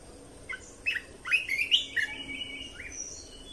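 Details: Red-whiskered bulbul song for training young birds and exciting caged birds: a series of liquid, swooping whistled notes, several in quick succession, ending in a softer trailing phrase, with a faint hum behind.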